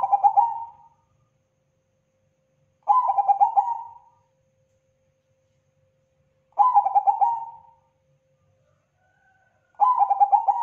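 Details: Zebra dove, Bangkok type, in a long-duration recording of lively song for training: rolling, bubbly coo phrases about one second long, repeated every three to four seconds, in a quiet setting.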